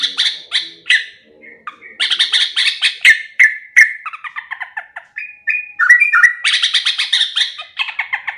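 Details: Sooty-headed bulbul song, likely a caged bird, recorded for bird-training play: busy, chattering phrases of repeated buzzy chirps and short whistled notes, mostly mid to high pitched, in quick bursts with brief pauses.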